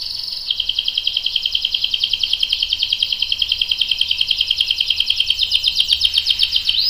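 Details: Canary delivering a long roll for training and prompting other canaries to sing: one sustained, evenly pulsed high trill running for several seconds, steady and bright, with slight changes near the end.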